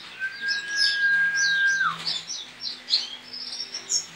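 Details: A male-or-unspecified Javan white-eye (Zosterops flavus) from Pontianak, West Kalimantan, in an online song contest, sings a fast, high, twittering stream of chirps over a long steady whistle slurring downward; kept bird misted daily, sunned 7–8 am.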